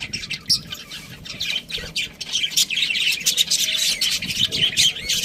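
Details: Budgerigar chirping, a busy run of shrill, scratchy chirps and squeaks with a soft dip in the middle, then louder, denser chatter building toward the end.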